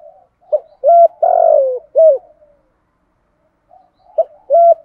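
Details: Spotted dove's full song, used to lure wild doves: a run of short sharp coo notes around one long rich falling coo, a brief silence, then the clipped notes starting again.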